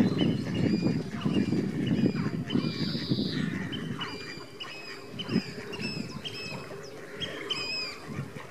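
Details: Captive Bewick's swan parents guarding newly hatched cygnets at WWT Slimbridge give repeated nasal, honking calls with bent, slurred notes, irregular and overlapping, over a low rumbling, splashing background.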